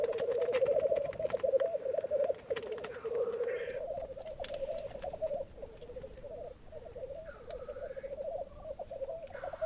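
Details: Black grouse displaying at a lek in Sweden as wind picks up and activity slows, many birds present: continuous low bubbling, rolling cooing chorus, pulsed and overlapping, with brief hissing notes and wind noise.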